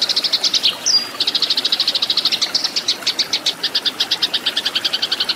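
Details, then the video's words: Eurasian tree sparrow giving a fighting song, used as a training recording for cage birds: a rapid, steady chatter of sharp, high chirps, about seven a second, broken once by a brief thin whistled note. "MASTERAN BURUNG GEREJA TARUNG SUARA SUPER EFEKTIF GACOR KERAS JERNIH"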